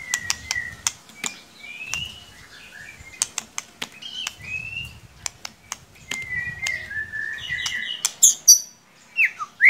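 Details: Lure song of the white-rumped shama (murai batu) to coax a quiet bird: soft mid whistles interrupted by many sharp clicks, ending in louder tumbling high whistled phrases.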